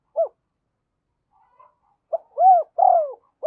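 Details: Decoy spotted dove calling to draw wild birds to its perch: one short hoot, a pause, then a rising-and-falling run of deep coos ending in a clipped note.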